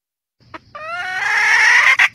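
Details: Red junglefowl hen calling the rooster: a harmonic, drawn-out call that rises in pitch and strengthens over about a second, preceded by a short soft note and ending with a brief burst.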